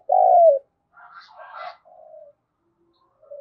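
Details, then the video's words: Spotted dove cooing as a lure to provoke calling. A single loud, drawn-out note slides downward, followed by faint, muffled rustling and a softer coo at the end. "Tiếng chim cu gáy thúc bổi hiệu quả nhất - Chim Cu Mồi"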